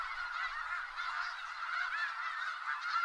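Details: Massed snow geese of Skagit Valley keep up an unbroken chorus of high, barking honks, countless birds overlapping into a steady roar of calls.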